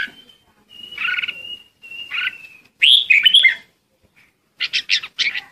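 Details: Red-whiskered bulbul calling to its flock: bright, bubbly whistled phrases, a few sustained notes then a quick burst of chirpy, slurred notes, repeated with short pauses.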